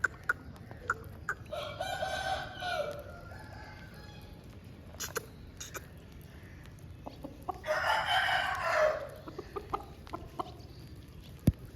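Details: After rain, an Aseel chicken gives two harmonic crows about six seconds apart, each lasting over a second. Scattered clicks and taps fill the gaps over a low background hum.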